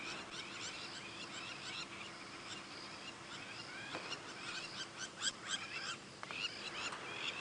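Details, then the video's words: Crowned lapwings on both sides of a road in a South African game reserve at sunset on 4 March 2017, amid lightning, give shrill, scratchy alarm calls in repeated bursts over steady hiss, growing busier toward the end. "Isn't this lovely? You can hear the crowned lap wings. They're not happy about something."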